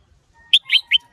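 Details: Red-whiskered bulbul male singing, stirred by a female, in the sổ bọng and ché styles: three loud, clear, slurred whistled notes in quick succession, each rising and falling. A faint steady tone hums underneath.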